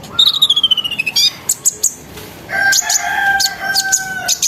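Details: Sunbird lure song for prompting other sunbirds to sing: a rapid descending trill of high notes, scattered sharp chirps, then a sustained lower warbling phrase under continued high ticks.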